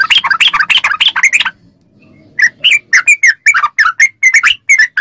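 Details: Fast ropel-style song of a yellow-vented bulbul, played to get captive birds responding. A rapid burst of bubbly chatter breaks off into a short pause, then resumes as quick, separated whistled notes.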